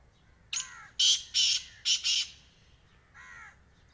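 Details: One grating black francolin phrase: a sharp opening note, then four loud, rough, buzzy bursts packed within about a second, and a softer nasal note to finish.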